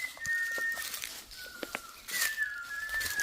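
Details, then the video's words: Outdoor birdsong with drawn-out, clear whistles that fall slightly in pitch, repeated twice, alongside scattered clicks and soft rushing noise. "Birds chirping. Sounds of Birds"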